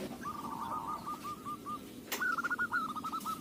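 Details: Local zebra dove used as a lure singing a soft rolling phrase of coos, then a sharp click and a louder, slightly higher trilled phrase, all over steady background noise.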